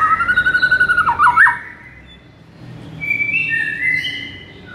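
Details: White-rumped shama song used as a training recording to rouse listless shamas: a fast run of repeated whistled notes with a twisting flourish, then a pause and softer high whistles.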